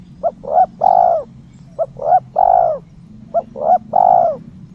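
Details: Spotted dove, locally tekukur, calling in the 'kuk 3' style used to lure or prompt other doves; a three-part coo phrase, two short notes then a longer drawn coo, repeated three times over a low background hum.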